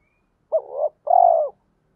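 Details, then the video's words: Spotted dove, male and female lure voice meant to draw wild birds to answer, gives one double coo, a short wavering note followed by a longer, smoother falling coo. "chim cu gáy mồi giọng thổ pha thúc gù như máy khâu, bổi nghe ức chế gáy theo, mở là gáy"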